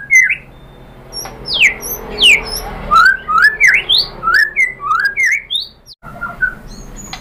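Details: White-rumped shama song used to provoke other birds into singing: varied loud whistled phrases, sharp upward and downward sweeps and slurred notes in a quick irregular series, with a brief pause near the end.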